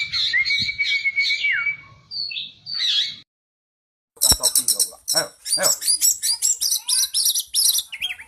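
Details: Oriental magpie-robin song aimed at making a caged bird reply aggressively: a held whistle and twitters, a brief silence, then rapid bursts of sharp, high chattering notes.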